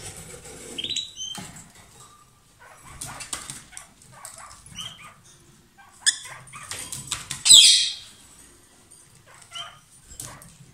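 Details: A pair of lovebirds, said to be kissing or exchanging food, giving a few shrill, high chirps amid frequent dry clicking and rustling sounds and a soft background hum.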